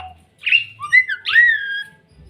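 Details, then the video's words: A white-eyed Javan myna (jalak kebo) imitates human speech: three or four whistled, voice-like syllables rising and falling over about two seconds, with a faint low hum behind. "burung jalak bisa bicara"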